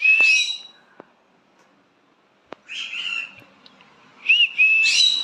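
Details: A pet green-cheeked conure calling its owner gives three loud, harsh, screechy calls laced with sharp whistled notes, one at the start and two close together at the end, with a couple of faint clicks between them.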